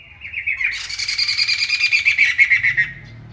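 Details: Masked laughingthrush in loud, active song: a rough, rapidly beating chatter that builds and then tapers off, with a low hum underneath.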